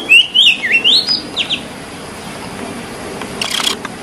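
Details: Wild white-rumped magpie-robin singing in its natural habitat: a rapid run of clear, rising and falling whistled phrases over the first second and a half, then quieter, with a faint burst of chirping near the end and a low background hum.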